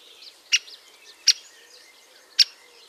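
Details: Great spotted woodpecker (Dendrocopos major), breeding season at a nest in a tree-trunk cavity, gives three sharp, high 'kik' notes spaced irregularly about a second apart, over faint background twittering.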